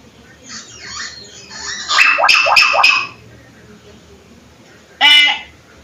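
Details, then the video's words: Hill myna used as a lure sound. Several loud, harsh, rasping notes come in a quick run near the middle, with one more short, ringing harmonic call a few seconds later. Softer chattering sounds come first. "pancingan suara burung beo"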